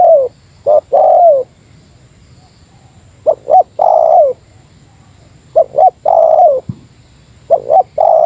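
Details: Spotted dove giving a Meratus-style lure call against a rival: four phrases of short stuttered notes and a long descending coo, gaps between them, with one faint low knock near the end.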